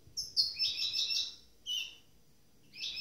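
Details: Captive goldfinch hybrid mule, newly moulted, one of two birds: a sustained bright twittering run of high liquid notes, then a short chirp and another twitter after a pause, in clean quiet surroundings.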